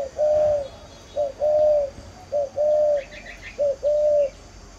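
Spotted dove cooing: four soft, low two-part phrases, a brief note then a longer steady coo, about once a second; faint chirps from another bird behind.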